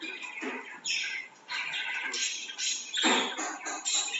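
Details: Budgerigar pair mating, chattering in scratchy, buzzy bursts mixed with bright chirps.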